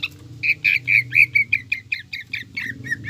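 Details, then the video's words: Greater green leafbird song played as a lure for captive birds, a rapid string of bright, clear whistled notes repeated about every tenth of a second, slightly descending, over a steady low hum. "PANCINGAN CUCAK IJO GACOR JAMTROK NGEKEK ISIAN TENGKEK BUTO"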